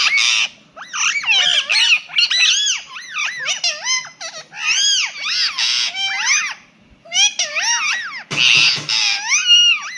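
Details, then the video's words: A pet Indian ringneck parakeet chatters in rapid, shrill, rising-and-falling phrases, mimicking a cat's meow over and over with short pauses between bursts. "PARROT SAY MEOW"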